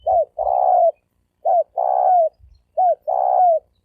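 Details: Spotted dove giving a thổ sấm đồng style lure coo meant to draw males and females: three phrases, each a short downturned note followed by a longer, steady, hoarse coo, repeated about every 1.3 seconds.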